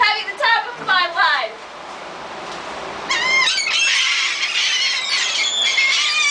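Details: Beach gulls at Gulf Shores, Alabama, fed by people in December 2007; a quick run of nasal squealing calls, a brief lull, then a dense, noisy chorus of many overlapping screeching gulls.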